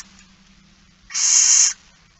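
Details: One loud, broadband hissing screech of roughly half a second from a barn owl begging at a feeding on 13 September 2019, 06:57, set in low background hum.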